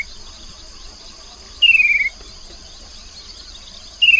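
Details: A Chestnut-capped babbler by the Mekong River, Nakhon Phanom, Thailand, 2021, gives a clear, half-second whistle sliding downward, repeated about two seconds later, over a steady high drone of crickets.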